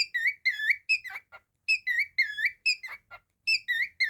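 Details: Cockatiel kept as a pet whistling bright, rich notes in rapid bursts of two or three, with short downward squeaky slurs between phrases and short pauses.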